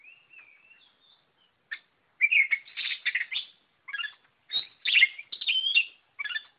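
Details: White-rumped shama singing at length, soft whistles leading into a dense run of loud varied phrases, mixing clear whistles with harsh chattering and buzzy notes, delivered almost without pause.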